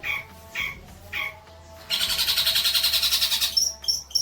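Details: Long-tailed shrike singing for training young birds: three spaced, short mid-pitched notes, then a loud, rapidly pulsed buzzy trill of about one and a half seconds, ending in high sharp notes.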